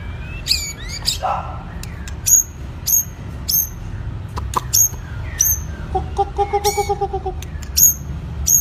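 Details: White-rumped shama in its second season, training stamina: sharp high whistled notes repeated roughly every half second to second, separated by clicks, with a lower, evenly pulsed harmonic call partway through and a low background hum.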